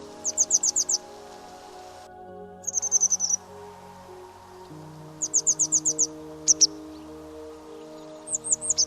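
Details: Grey wagtail, a bird of running streams, sings loud, frequent bursts of five or six very high, sharp ticking notes, repeated with short pauses, over soft sustained background music; it often sings in territorial flight.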